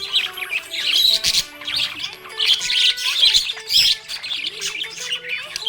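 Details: Happy budgie twittering in loud high bursts of chirps and squeaky squawks, separated by brief lulls, a low steady hum running beneath.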